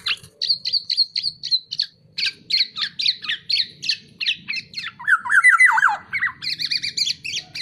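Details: A tame black-naped oriole sings briskly. Quick, clipped, high notes repeat roughly four per second, then give way to a mellow, fluty, looping whistle before the short sharp notes resume. A faint low rumble sits underneath.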